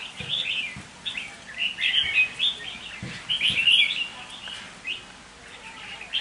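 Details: Captive decoy red-whiskered bulbul singing: bright, chattering warbled phrases in quick bursts, several loud clusters between two and four seconds, with faint low thumps underneath.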